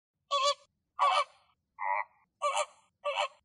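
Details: Pink flamingos foraging in the morning in Greek nature, recorded in the area where they were filmed: five loud, nasal, goose-like honks at about half-second gaps, each one rich and harsh, on a silent background.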